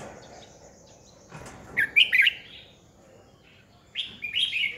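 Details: A 2020 recording of a red-whiskered bulbul decoy bird, meant to excite other bulbuls into singing; two lively bursts of quick, rolling, whistled notes separated by a pause, over low background hiss.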